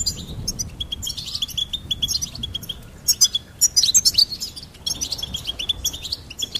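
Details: Goldfinch singing a fast, bright twitter of high chirps and trills, bursts clustered in rapid runs with brief pauses between phrases.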